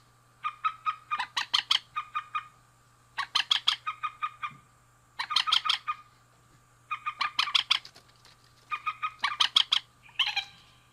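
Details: Male and female rails calling: five rhythmic bouts of quick, ringing clucks, each building into a louder rattle, about two per ten seconds with pauses between, over a constant low hum.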